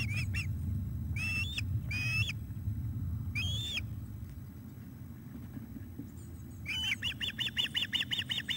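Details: At the nest while fish is brought, 17 July 2021, an osprey gives a few separate drawn-out whistles with gaps between them. Near the end it breaks into a rapid run of short repeated chirps. Low rumbling noise continues throughout.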